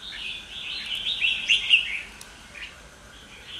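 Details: Caged red-whiskered bulbul from Kim Bôi, Hòa Bình, Vietnam, recorded on a warm, sunny day on 25 March 2022, gives a run of bright, bubbly chirps and warbled notes, high-pitched and fairly quick, over a faint background hiss.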